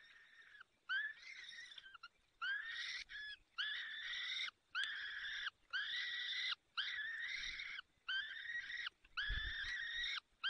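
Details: At a Peregrine falcon nest in Poland's Barycz Valley, 30 April 2020, afternoon, the male brings prey and feeds the young chicks: a steady series of nine hoarse, level wails, each close to a second long, separated by brief pauses.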